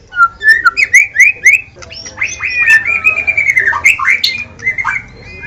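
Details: Caged White-rumped shama giving a fast series of rising whistled notes, about three a second, then a long run of looping, varied whistles with a faint hum behind.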